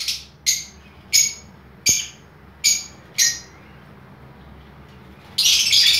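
Lovebirds give six shrill, harsh chirps about two-thirds of a second apart, then a loud burst of dense screeching chatter from the aviary.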